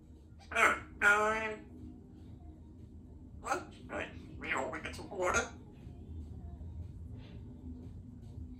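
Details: Female pet Congo African Grey Parrot, very chatty indoors at home, practising phrases: speech-like chatter in two quick harmonic-rich bursts, then four shorter syllables, with a low hum in a quiet room.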